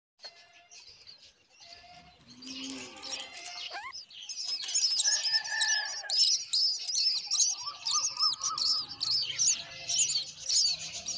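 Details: Myna feeding its chick a spider: soft scattered notes at first, then from mid-clip a dense run of high, shrill, squeaky chirps, about two each second, with a lower whistled note now and then.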